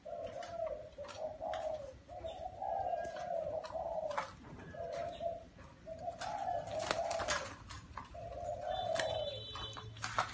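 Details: Low mellow coos of a spotted dove in a small garden, phrases of several soft rounded notes following one another with short gaps, high chirps of other birds scattered over a hissy background.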